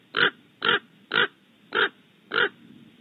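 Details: Agitated raven outside a barn owl nesting cavity at Audubon Starr Ranch, California, giving five coarse, grating caws spaced evenly about half a second apart.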